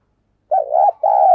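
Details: Decoy spotted dove cooing to attract wild birds; a soft, low, throaty coo in two parts, a wavering first note then a longer level one, against silence.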